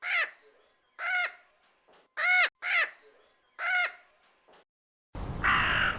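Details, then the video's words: Common raven giving six harsh, hoarse caws, roughly one each second, before a different loud, rasping sound abruptly takes over at the end. "Do you know the sound of a turkey, a red parrot, a raven, and a woodpecker?"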